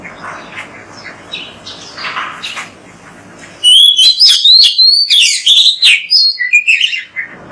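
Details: Oriental magpie-robin song made as a training recording to prompt magpie-robins to sing. Quiet background chatter gives way to a loud, fast sequence of clear, wavering whistles mixed with buzzy chirps.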